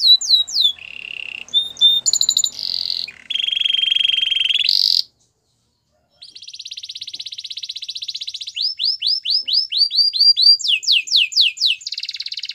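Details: Canary singing a training song for canaries: changing rolls of buzzy trills and sliding whistles, a second of silence, then a long even buzz followed by rapid swept notes and another buzzy roll.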